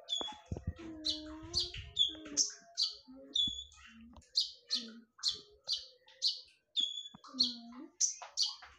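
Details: Konin lure song, sharp and ringing: dense high bursts and flat whistles in quick succession, while softer lower chirps and short whistles from other birds fill the gaps.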